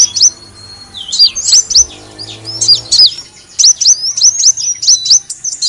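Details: Sunbird known as kolibri wulung, used as lure audio: a long thin descending whistle, then spaced, sharp, high chirps that grow into a quicker repeated series.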